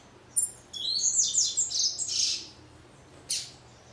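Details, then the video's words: A female Yellow-bellied Seedeater, behaving like a male, sings a quick, high, two-second twittering phrase of sweeping notes ending in one sharp note, over a faint indoor hum. "Fêmea de papa capim macheando e cantando!!!"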